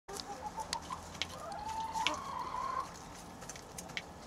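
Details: Broody domestic hen sitting on fertile eggs while her chicks hatch; a low, drawn-out murmuring cluck slides gently upward over a couple of seconds, with scattered faint higher peeps and a steady background hiss.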